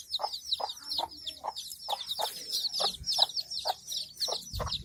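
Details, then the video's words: Hen with chicks clucking rhythmically, about two short low notes per second, while the chicks keep up a loud, thin, overlapping peeping throughout, ending with a soft thump. "Hen | hen and chicks | fun | funny | animal | sound"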